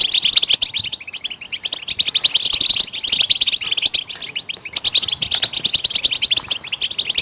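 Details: Goldfinch song intended to encourage caged birds to sing: a steady stream of rapid, high twitters and buzzy trills, tightly packed and continuous across the whole stretch.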